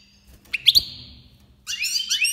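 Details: An Iranian goldfinch (Goldfinch Major) sings in the 2022 breeding season: a few sharp chirps and a held whistled note, then a rich run of rising, liquid twitters, with faint low rumbling.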